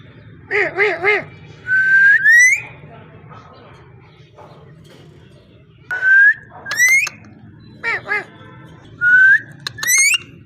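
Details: Parrot alternating wavering buzzy notes with long rising whistles, each followed by a steep upward sweep; the pattern repeats about three times with quiet gaps between.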